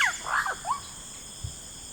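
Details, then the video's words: Yellow-rumped cacique calling in a rainforest, a quick series of slurred, descending whistled notes in under a second, then quiet with a dull thump and shrill insects in the background. "Yellow Rumped Cacique Sound"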